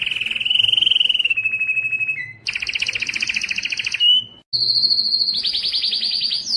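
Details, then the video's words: Canary song recorded for tutoring young canaries, urging males to sing and females to breed: a long rolling trill of fast repeated notes, a brief slide, a doubled buzzy tour, then a high steady trill rising into rapid pulses. "صوت كناري مميز للتسميع"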